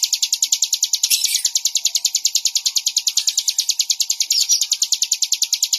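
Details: Bar-winged prinia song: a fast, steady run of high, bright chirping notes, about three each second, repeated without a break.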